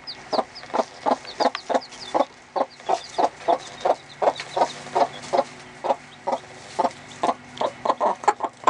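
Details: Hen in a little coop teaching her two-and-a-half-day-old chicks to eat and drink, giving an alert-like noise to show she has found food; rapid series of short clucks, about two or three per second, with high chick peeps above.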